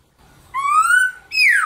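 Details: Black-throated laughingthrush in captivity singing in competition style, used in the morning to stimulate other birds to sing: a long whistled note slowly rising then easing, followed by a loud downslurred whistle, in a small room.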